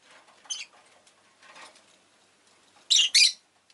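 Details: Rosy-faced lovebird: faint, soft scratchy chirps at first, then two loud, rasping shrieks close together near the end.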